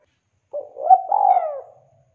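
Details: Spotted dove (tekukur), a frequently singing bird used as a lure to prompt silent birds to sing, gives one low cooing phrase: a short coo, then a longer rolling, slightly falling coo, with a quiet background.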